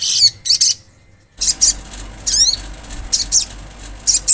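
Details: Olive-backed sunbird giving high, sharp chip bursts and a descending series of thin slurred whistles, notes clustered in short bouts with brief pauses between.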